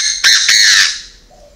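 A Chinese francolin gives two loud, harsh, grating notes in quick succession, about a quarter-second apart, fading into a faint, quiet background.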